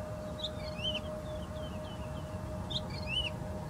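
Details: Woodlark giving soft, high, descending whistled phrases, a fluty cluster at the start and another near the end with fainter slurred notes between, against continuous low hum and background noise.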